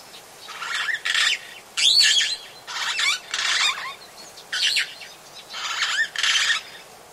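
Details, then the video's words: Long-tailed glossy starlings at Oyster Creek, Coast Road, The Gambia, give a run of harsh, grating, chattering calls in bursts of about half a second, with short gaps and some squeaky notes mixed in. "Long-Tailed Glossy Starling. Calls"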